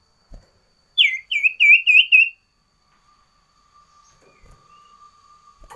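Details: A loud, busy sooty-headed bulbul sings a variation song: a descending whistle followed by four quick, bright, swooping whistled notes, then quiet with a low hum and soft background rustling.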